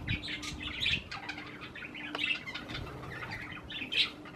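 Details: Parakeets eating cherry tomatoes make short separate chirps and squeaks at irregular intervals, with a faint steady hum beneath.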